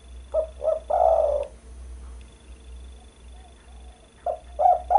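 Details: Spotted dove cooing, played as a trapping lure: two brief hollow coos followed by a longer rolling coo, the short notes returning near the end, with constant low background hum.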